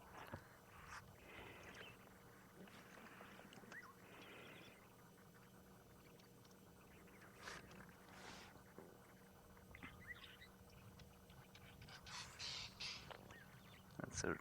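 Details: Lilac-breasted Roller gives harsh, rasping squawks in scattered bursts on an afternoon game drive in Ngala Private Game Reserve, South Africa, 27 April 2020, while impalas face off nearby; low engine-like hum throughout.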